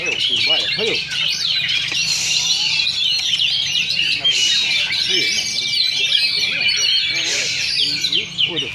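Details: Oriental magpie-robins duelling at a Sunday practice singing contest in Sindanglaut, session two: dense, continuous, varied high whistles, chirps and rapid trills overlap without pause, with crowd voices and chatter underneath.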